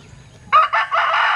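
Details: Linh Kê rooster with an unusual crow: a sudden harsh opening note followed by a broken, rasping continuation, cut short.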